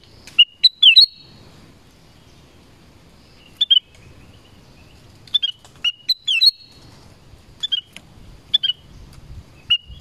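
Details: Song of a black-crested bulbul in the forest: bright, rapid whistled phrases with quick up-and-down inflections, repeated in bursts over ten seconds with short quiet gaps and faint low background rumble.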